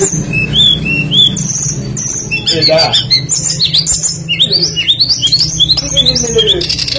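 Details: Tledekan songbird recorded as a lure meant to draw song from other birds: looping whistled phrases, a harsh scratchy burst, then a string of rapid rising notes and twitters over a low hum.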